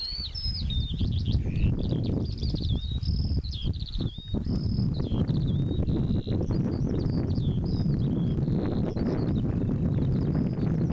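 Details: A pipit in display flight over a field in May or June 2014 sings a continuous run of thin, high trills and repeated notes, some sliding up and down, over heavy wind rumble.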